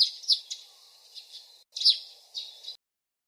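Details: Faint nightingale phrases: a few sharp high chirps and a soft trill, a short pause, then another burst of chirps, all rather muffled with a low hum behind.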